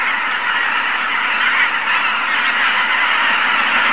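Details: Massed geese calling at Izunuma around 6 am, a loud, even clamour of many overlapping voices without pauses.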